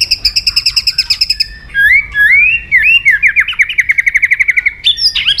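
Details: White-rumped shama singing to provoke other shamas: a rapid trill of high repeated notes, then loud sliding whistles, then a long fast series of repeated sharp notes before a final burst.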